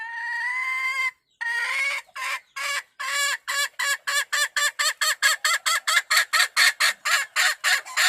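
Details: Wild hen calling the rooster, beginning with a long nasal tonal note, then breaking into a fast run of about twenty short, sharp clucks that speed up and keep a steady rhythm to the end.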